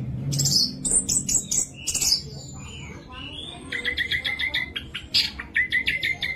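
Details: Orange-headed thrush in full song, used to provoke silent thrushes: quick high chirps and sweeps, then a run of repeated steady whistled notes, each brief and evenly spaced.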